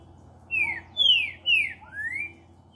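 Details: Green-winged saltator, a true trinca-ferro, singing on a Saturday, 19 October 2019: four loud whistled phrases, the first and last rising, the middle ones falling and slurred, spaced about half a second apart over a faint low hum.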